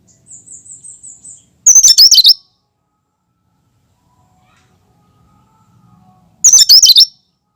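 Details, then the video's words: Pure cucak kinoi song without mimicry, used to coax other birds. A faint thin whistled series opens, then two loud bursts of rapid, high, chattering notes about five seconds apart, with quiet between. "Suara asli cucak kinoi"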